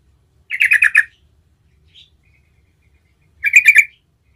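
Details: Yellow-vented Bulbul (trucukan) singing gacor ngerol, a lure to prompt other trucukan to sing; two short, bubbling, rapid chattering phrases about three seconds apart, with silence between them.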